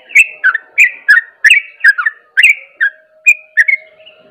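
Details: Sooty-headed bulbul in rapid ropel song said to rouse other bulbuls: bright, slurred whistled notes tumbling in quick pairs, easing into a few spaced notes near the end over a low continuous hum.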